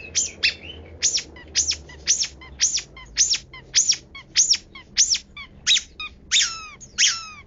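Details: Long-tailed shrike in its rich 'kaya rasa' song: loud, ringing down-up chirps repeated about every half second, ending in two longer downslurred whistles.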